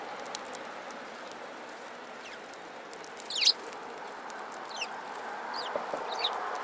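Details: Sparrows gathering at food scattered on the ground, March 2017: a few short, high, downward-sweeping chirps, one louder sharp chirp midway and quicker faint ones near the end, over steady broadband background hiss.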